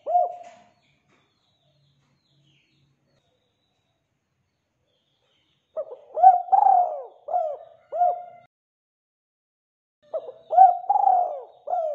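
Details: Spotted dove in full voice, used to lure other doves into calling: a closing coo, a pause of about five seconds, a whole cooing phrase ending in separate falling notes, then another phrase begins after a similar gap.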